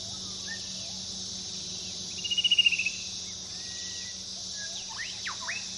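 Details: Fan-tailed cuckoo with a short, rapidly pulsed trill swelling and fading over under a second, set against a constant high insect drone, a low hum and a few other bird calls near the end.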